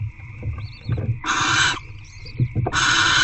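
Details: Barn owl hatchlings being fed by their mother at night inside a nest box; two loud, harsh, broadband hissing screeches, each about half a second long, with faint high chittering and low shuffling thumps between them.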